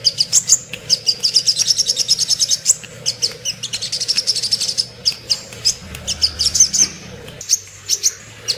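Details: Sogok ontong, the little spiderhunter, singing for use as a tutor song for caged songbirds such as white-rumped shama and magpie-robin. Long bursts of fast, piercing high chips, sometimes running into trills, broken by brief gaps.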